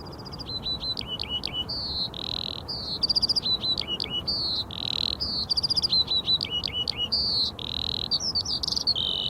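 A Eurasian Skylark pours out a continuous, high, rapid song of chirps, buzzy trills and liquid warbled phrases without pause.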